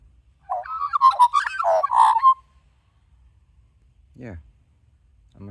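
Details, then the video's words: Australian magpie warbling up close while being hand-fed: a rich burst of mellow, gurgling and fluting notes, varied and tumbling, for about two seconds, followed by a short low croaky sound and faint background noise. "More magpie warbling"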